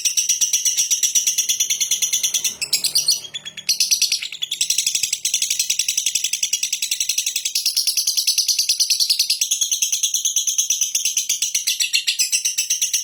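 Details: Lovebird in a long ngekek chatter: a sustained, dense stream of harsh, rapid, buzzy chattering notes that rattles on almost unbroken, with a brief dip near the middle.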